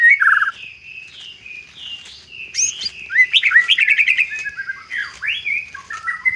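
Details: White-rumped shama singing an isian song packed with varied phrases: a low falling slur, sliding whistles, then a rapid run of bright rising chirps midway, ending in swooping whistled notes.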